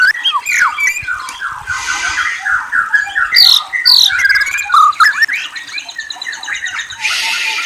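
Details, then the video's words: Energetic white-rumped shama song of whistles and trills: fast series of down-slurred notes, sharp piercing high whistles, varied chattering phrases, and a rasping hiss toward the end. "Murai Bird Whistles and Trills"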